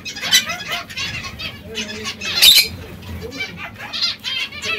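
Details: Zebra finches kept as pets, pecking seeds and fresh salad; nasal, harmonic-rich call notes repeated irregularly, with one louder burst near the middle and soft background rustling.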